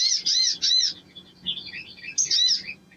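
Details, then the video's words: Three loud arched squeaky notes, then soft high twittering, then another sharp chirp from a crimson sunbird, with a faint low hum. "SOGON GACOR PANCINGAN NGLEPER"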